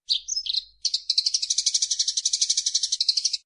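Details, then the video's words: Training song of a Eurasian tree sparrow: a few sharp chirps lead into a sustained, fast, rattling trill of evenly spaced pulses, clear and close with no other sounds. "SUARA BURUNG - Masteran Terbaik Gereja"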